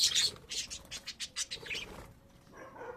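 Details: Household budgerigars producing a clean series of high chirps, roughly five rhythmic pulses in the first second and a half, then softer, lower warbling notes, with no background hum.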